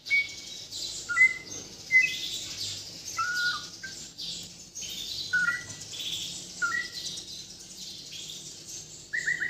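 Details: White-rumped shama of Bornean origin from Kalimantan, singing a song full of isian: fairly faint clear whistled notes, some paired and slurred, given every second or so over a steady high hiss.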